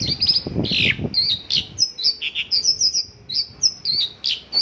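A Mongolian lark sings a rapid, varied stream of bright chirps and short trills, with some low rustling noise at the start.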